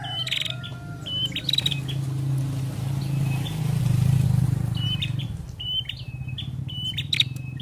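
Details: A female prinia, its call used to stimulate other prinias to sing, gives quick runs of sharp, high chirps in two bursts over a steady low engine rumble.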